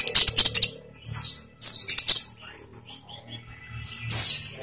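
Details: Lure recording of an olive-backed sunbird, played to make caged birds sing: short, high, ringing chirp phrases and thin downslurred whistles come in separate bursts between quieter moments.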